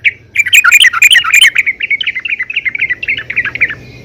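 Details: Female yellow-vented bulbul calling to the male, used as a lure to make other bulbuls sing: a fast run of chattering, slurred notes with a rough burst early on, easing into steady repeated chirps.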